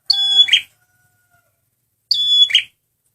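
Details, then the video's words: Red prinia (prenjak merah) male lure song: two loud phrases two seconds apart, each a piercing stacked whistle running into a rough buzzy burst, with silence between. "SUARA BURUNG PRENJAK MERAH PEMIKAT GACORRR"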